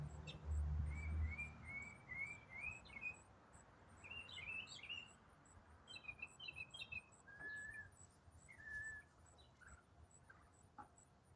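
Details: An unidentified songbird in autumn, likened to a mockingbird, sings a quick run of high, slurred chirps and trills in tightly packed phrases over a low rumble. It sang non-stop for minutes, at the same time nearly every day for over a week.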